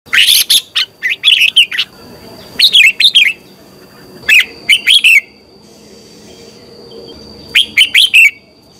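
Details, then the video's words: Red-whiskered bulbul morning song, played as a lure recording for training other bulbuls to sing: bursts of three to four quick, warbled, rising-and-falling whistled notes, about four phrases in nine seconds, over a steady thin high whine. "Luyện chào mào hót sáng - QUÁ HAY KÍCH CHÉ"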